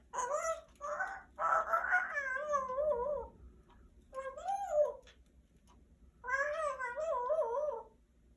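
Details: A 35-year-old female Congo African grey parrot chatters in four bursts of warbling, voice-like talk, with rising and falling tones and a little quiet between phrases.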